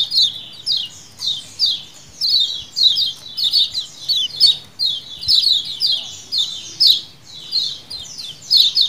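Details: Lemon-bellied white-eye (kecial kuning) colony calls for luring: continuous overlapping high chirps and chattering notes from several birds, clustered in bursts about every half second over a quiet low background.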